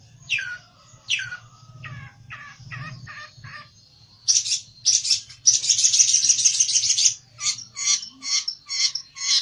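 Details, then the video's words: Olive-backed tailorbird worked up and seeking a rival: two sharp downslurred whistles, a string of shorter notes, then a loud, rapid, high buzzing trill and a run of quick repeated notes. "PELENTET NGAMUK CARI LAWAN!!!"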